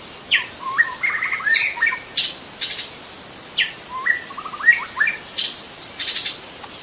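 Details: Wild young white-rumped shama in its forest habitat delivering bursts of whistled notes and rapid rattled trills in two main groups with a quiet gap between, accompanied by a loud, unbroken high-pitched insect buzz.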